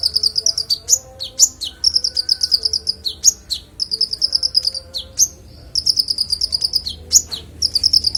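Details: Konin unloading its song repertoire in a clear voice for other songbirds to learn: fast, very high buzzy trills broken by sharp downslurred whistles, repeated in phrases with one brief pause.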